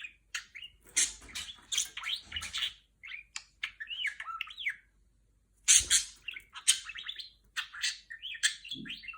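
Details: Female budgerigar's Star Wars R2-D2 mimicry: nearly continuous rapid warbling, sharp broadband squawks, swooping whistles and chirps, a short silence, then more busy chatter.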